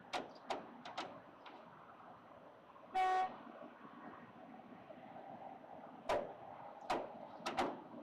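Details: A distant train horn sounds once over low background hum, with scattered sharp clicks and knocks.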